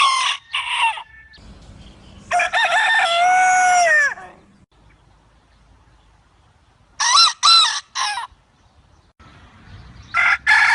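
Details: Free-range country rooster on a farm crowing: a loud, harmonic cock-a-doodle-doo of about two seconds that falls in pitch at the end, set among shorter bursts of crowing and clucking with quiet gaps between.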